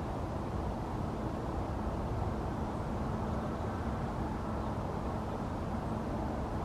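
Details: Constant broadband rumble of wind or traffic throughout, with no creature calling.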